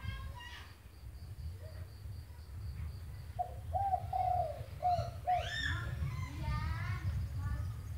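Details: Spotted dove uttering four short low coos in mid-clip, with other birds chirping and whistling at higher pitch and a steady low rumble throughout.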